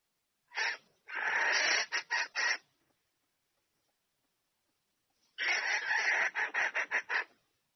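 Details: Female red junglefowl calling for the male to mate, in two phrases about three seconds apart, each a long hoarse note followed by several short, sharp cackles.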